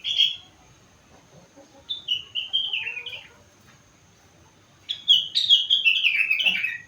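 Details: Four-month-old sooty-headed bulbul singing steadily with learned rengganis and cucak wilis song fills: a short whistled burst, then a descending series of bright slurred notes, a pause, and a longer falling cascade of sweet whistles.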